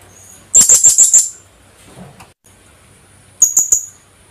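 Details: Philippine hanging parrot (Loriculus philippensis), call.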